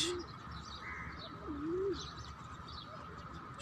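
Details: Pigeons and doves eating seeds give soft, low cooing notes, one drawn-out coo swooping down then up, with faint higher chirps and a steady background hum.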